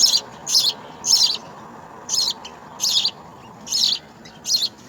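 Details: House sparrow nestlings in a nest being fed insects by a parent: shrill, harsh bursts of chirping about every half second to second, each burst short and scratchy, over a quiet background.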